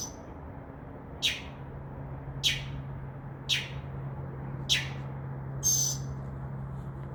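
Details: Mockingbird in a tree outside a window at midnight, mimicking other sounds: five sharp, harsh downward calls spaced about a second apart, then a brief high squeak, against a constant low hum.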